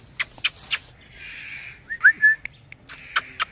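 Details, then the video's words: A blue Indian ringneck parakeet gives sharp clicks and scratchy bursts, then a couple of brief, clear whistled notes; no plain words come through. "indian Ringneck parrot talking"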